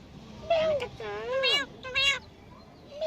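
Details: Jungle myna talking in imitation of human speech: drawn-out, voice-like tonal phrases that bend down then rise, a few spaced syllables with short pauses between them.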